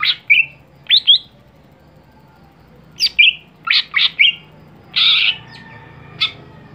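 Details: Caged greater green leafbird, a singing-contest bird, mixing short slurred whistles and harsh grating notes in irregular clusters, with a quiet gap of about two seconds mid-phrase.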